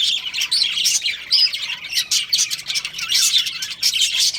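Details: Two budgerigars kept as a breeding pair, chirping in quick irregular bursts of bright twittering notes, about seventy-five per minute, with a few clear whistled tones over scratchy warbling.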